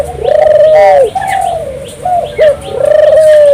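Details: Lively burung puter turtle dove song meant to prompt local doves to join in, with smooth low coos alternating with short bent notes in quick succession and steady volume.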